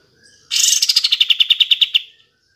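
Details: Kapas tembak, played to provoke reluctant or silent caged birds into singing: a rapid, evenly spaced trill of about fifteen sharp, high notes that starts loud and fades slightly, lasting under two seconds.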